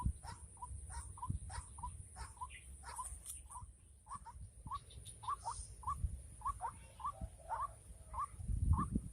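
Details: White-breasted waterhen calling in a trapping setting during the rainy season: a long series of short repeated notes, roughly three per second, with a steady high electrical whine and low rumbling noise underneath.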